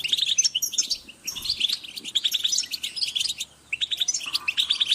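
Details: European goldfinches calling as a group, used for motivating birds: busy high twittering and tinkling chirps from several birds in short clustered bursts separated by brief gaps.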